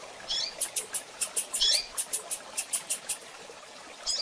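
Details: Female double-collared seedeater calling together with a blue-black grassquit: short runs of high, dry ticking chips repeated several times a second, broken by lower, twisting chirp notes, against a soft steady hiss.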